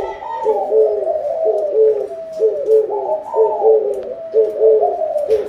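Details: Spotted dove coos tied to a plentiful harvest: rhythmic low phrases repeating roughly once a second, each with a slight rise, overlapping into a steady pulsing stream.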